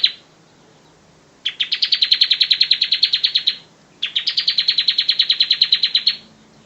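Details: Singing bar-winged prinia used as a master song: the tail of one phrase, then two separate rapid trills of sharp, evenly repeated high notes, each about two seconds long, with brief silences between them.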